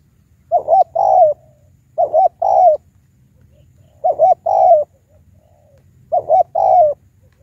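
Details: Spotted dove as a high-voiced lure against wild doves, repeating its phrase four times about every two seconds: two brief coos, then a longer falling one, with quiet gaps and faint background murmur.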